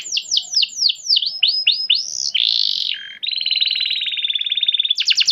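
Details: Canary lure song to spur domestic canaries into song: a series of looping down-slurred whistles, a rough harsh note, a long level buzzy tone nearly two seconds long, ending in a sharp rapid trill.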